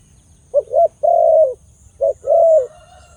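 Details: Two cooing phrases from a Khmer dove with a big voice. Short paired hoots lead into a long, rich, sustained coo, then the pattern comes again, with a faint thin tone trailing after.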